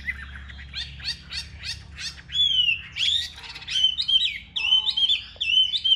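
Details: Caged Chinese hwamei of large build, kept for fighting display with spread feathers, singing: a run of buzzy rasping notes gives way to loud, clear slurred whistles that rise and fall, delivered in short repeated phrases.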